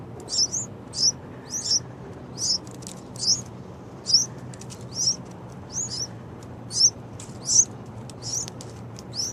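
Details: Two baby yellow-vented bulbuls calling loudly: sharp, high squeaky chirps repeated about once every half to one second in an uneven series, over a low steady background hum.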